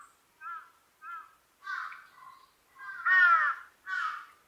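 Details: Large-billed crow call series: two short soft notes, then rougher, louder caws building to a long harsh caw and one more after it.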